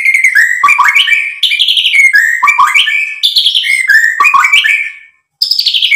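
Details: White-rumped shama, Sumatran birds used to provoke other birds into singing: loud, rich whistled phrases sliding down and up, rapid varied notes packed tightly, with a brief pause near the end before another bright phrase begins.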